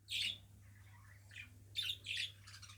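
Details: Australian budgerigar kept as a pet, giving a few separate high chirps: one bright note, a softer pair, then two quick squeaky chirps near the end, over a quiet room hum.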